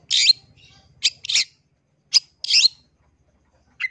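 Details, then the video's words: Long-tailed shrike lure song used to provoke other shrikes into answering: a few short, harsh, raspy bursts separated by gaps, then a brief thin note at the end. "Cendet LAIN gak bisa DIAM dengar SUARA Pancingan Pentet GACOR yang satu ini"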